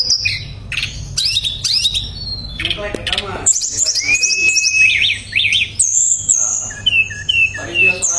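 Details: Tledekan pring shortwing in lively gacor therapy song, nembak and ngerol: harsh bursts and fast twittering give way to a steady whistle, rapid rising chips, and closing high whistled phrases.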